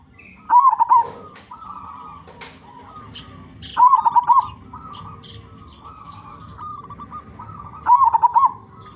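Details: Loud-voiced local zebra dove singing as a lure for other zebra doves: three pulsing, rolling coo bursts roughly every three and a half seconds, separated by quieter, drawn-out cooing from other doves in the background.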